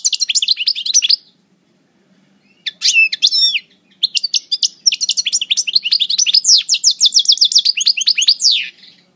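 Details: Moulting parva European goldfinch from El Bordj giving coupleur-style song: a short twittering phrase, a pause, then a long run of rapid high chirps and liquid trills ending in repeated sweeping notes.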